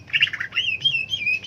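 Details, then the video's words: Cucak ijo leafbird with a rough chattering phrase, then sustained thin whistles that rise and fall, several in a row. "Burung cak ijo"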